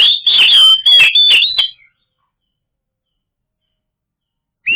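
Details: Lure recording of Oriental magpie-robin song meant to make non-singing birds respond: a loud, fast string of sweet whistles mixed with scratchy chattering notes for under two seconds, then silence and one final whistle onset.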